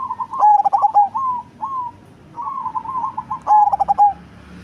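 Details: Zebra dove of the cemani type, a big-bodied bird with a big, deep voice, singing twice: each phrase a burst of rapid, throaty pulsed coos ending in a drawn-out note, with softer trilled cooing between from another dove.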